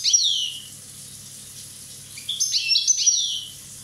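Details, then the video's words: Year-old Corsican goldfinch opens with a high descending twittering phrase, then after a pause gives a longer run of bright, rapid, tinkling chirps and trills. "Chardonneret rosse corse 1ans"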